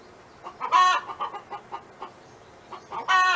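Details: A hen kept by neighbours gives soft, evenly spaced low clucks, broken by two loud, harsh, harmonic squawks near the start and end.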